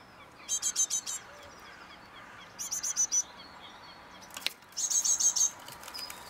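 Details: Three separate bursts of rapid, high-pitched chips, five or six notes each, several seconds apart, from great tits on an eleventh floor in Mariahoeve, The Hague, May 2023, with a sharp click between the second and third bursts.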